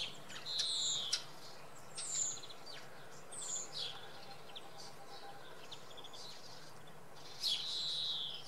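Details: A common redpoll at Oksywie, early in the morning, gives short, high, buzzy call notes in scattered bursts, some with a brief rising twang, over a steady low background rumble.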